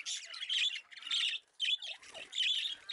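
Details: Trained female budgie kept as a pet giving repeated rough, high squawks and chirps in bursts about every half second, with a faint low rustle in between.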